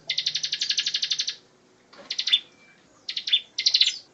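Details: Bar-winged prinia (ciblek, perenjak jawa) singing a continuous 'tembakan ngebren' style song used as a tutor for magpie-robins: a fast, even run of about thirteen sharp, buzzy high notes, then short clipped bursts of rapid chips separated by pauses.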